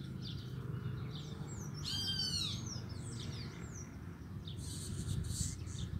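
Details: Caged male rusty-collared seedeater singing repeatedly at a nearby female: a short burst of high, quick sliding whistles around the middle, with low background rumble and a brief noisy patch near the end.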